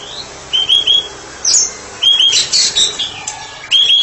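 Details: White-rumped shama, a therapy bird, singing in 'ngeplong' style: clear whistled notes in short groups of two or three, separated by pauses, with a brief high chattering burst in between.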